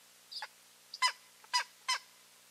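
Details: Calls from a pair of eagles at their nest, 15 March 2023: four rich, barking yelps with ringing overtones, the first softer, then three strong notes about half a second apart over quiet surroundings.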